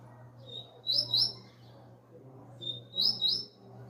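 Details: Young double-collared seedeater coming out of moult, singing two short, high whistled phrases about two seconds apart, each a thin rising note leading into quick twittering trills, over a low steady hum.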